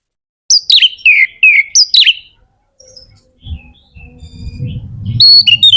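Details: Magpie-robin (kacer) in lively full song, used to stir other kacer to sing: loud slurred whistles falling in pitch, repeated rapidly, then quieter notes over low rumbling noise.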